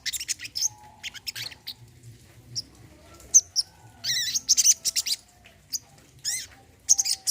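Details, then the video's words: Brown-throated sunbird (kolibri kelapa) singing, meant as therapy for birds that have stopped singing: shrill high chirps, quick twittered bursts and downward sweeps in uneven bouts, faint low tones behind. "TERAPI BURUNG SOGON KOLIBRI KELAPA MACET BUNYI MANTAP"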